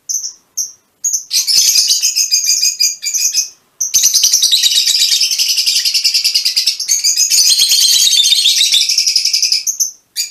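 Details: Shrill, rapid chattering from mutation Fischer's lovebirds runs almost without a break, with a few clipped high squeaks at the start and end.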